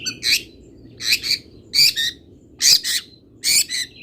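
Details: Local long-tailed shrike tutor phrases: paired harsh, scratchy squawks repeated about every three quarters of a second against a soft noisy background.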